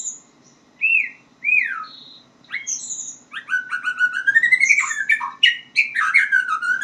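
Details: Young-learning white-rumped shama practising song: separate downslurred whistles at first, then a fast, dense stream of varied chirps and warbled notes in the second half, over a soft background hum.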